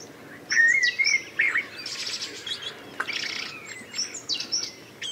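A blackbird sings a mellow, fluty warble of a few low whistled notes, then breaks into higher, squeaky twittering phrases. Faint background hiss underneath.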